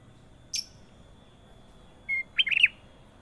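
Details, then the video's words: Ruby-throated bulbul (kutilang emas) with a sharp click early on, then a short steady whistle and a rapid phrase of four or five bubbly, wavering notes, sung in clear gacor style. "KUTILANG EMAS PALING MERDU! Suara Gacor Panjang"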